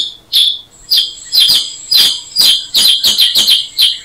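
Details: Black-headed bulbul (Brachypodius atriceps) giving sharp, high chirps that start widely spaced and quicken into a rapid series.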